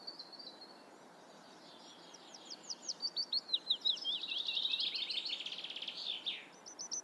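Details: Eurasian reed warbler in full song: a series of scratchy, clicking notes repeated in twos and threes, swelling into a dense, harsh churring rattle, then sharp clipped notes at the end.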